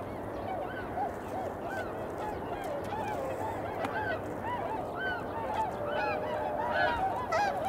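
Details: Eurasian coots recorded in early February at about 8 a.m., giving a lively series of brief honking, arched calls, roughly three per second, several birds overlapping against constant low background noise.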